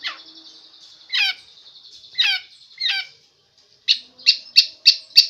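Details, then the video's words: Long-tailed shrike song in the telolet style, a bird with many song variations: three descending warbled phrases about a second apart, then a quick series of five sharp high chips, over a quiet background. "Cendet gacor suara telolet om!!"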